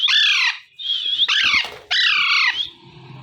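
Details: Alexandrine parakeet, a pet parrot, giving natural morning calls: loud harsh squawks with descending, harmonic-rich notes, four calls in quick succession, ending in quieter room noise.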